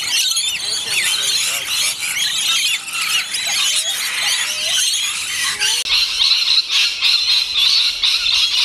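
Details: Feeding rainbow lorikeets produce a constant din of shrill squawks and chattering screeches, many birds calling at once, with a few clearer whistled notes rising above the noise.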